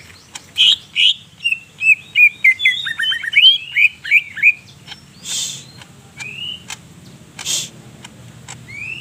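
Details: Lively greater green leafbird from Banyumas, Central Java, singing a rich varied song: bright whistled notes, then a quick run of short downward slurs, later scattered clicks and rising whistles over a soft low background rumble.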